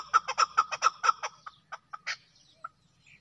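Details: Desi chakor (Chukar partridge) giving a quick run of about seven loud, clucking chuk notes at a steady pitch, roughly a fifth of a second apart, then slowing into scattered softer notes and a final sharp chip.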